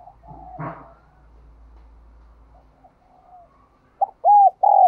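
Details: Spotted dove of the 'giọng đồng kim' voice type. A muffled, unclear sound and soft cooing open the clip. It ends with three loud, clear, arched coo notes.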